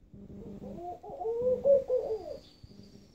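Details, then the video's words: Istanbul laughing dove, a species described as bold enough to nest indoors: a gentle bubbling series of low coos rising then dropping, with quieter repeated low pulsing notes from another source before and after, and a faint high whine. "Laughing Dove"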